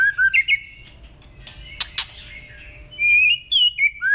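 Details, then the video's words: White-rumped shama song from a training recording in the style called kéo thuốc lào and giọng dây: clear slurred whistles near the start and end, separated by sharp clicks and a quiet, near-silent middle stretch. "30p chòe lửa hót hay ❣ kéo thuốc lào ❣ hót giọng dây❣ để luyện giọng mỗi ngày"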